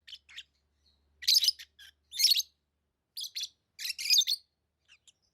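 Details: Lovebirds chirping: short harsh, high-pitched bursts in irregular clusters, some loud and some softer, separated by brief silences, with no other noticeable sounds.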